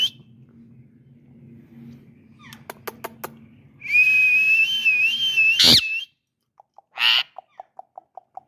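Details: A pet rose-ringed (ringneck) parakeet gives a long, high, steady whistle that rises slightly, then a sharp squawk and a run of short soft notes, over a low background hum.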